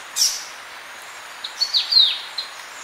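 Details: Orange-breasted honeyeater (Myzomela jugularis) song: one sharp opening note, then a quick run of short thin, high chips, with Polynesian triller calls and crickets also in the recording.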